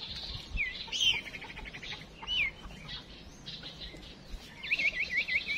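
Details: A female songbird used as a decoy to stir other birds into song gives thin, high whistled slurs, several dipping downward, then a quick run of rapid wavering notes near the end, over faint background hiss.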